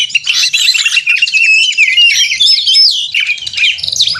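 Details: Excited fighting song of an Oriental magpie-robin, konslet narung style, played to provoke caged birds into singing; fast tumbling whistles and arching slurred notes in a crowded stream, with low rumbling noise toward the end.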